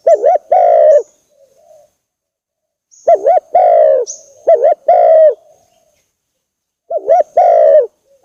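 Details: Spotted dove lure call meant to anger a rival and draw a quick reply: loud, clean two-part coos, a short hooked note then a longer falling one, given in bursts with pauses between.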